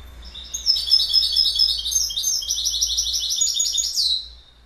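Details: A goldfinch in full song, pouring out a continuous, fast, high-pitched string of liquid, buzzy twittered phrases that closes with a falling slur.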